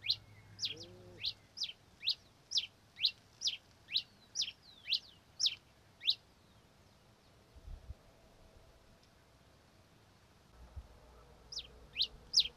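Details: Red-crested finch singing a steady series of crisp, high, down-slurred chip notes, about two per second for six seconds, then a pause with faint low rumbles before a few more chips at the end.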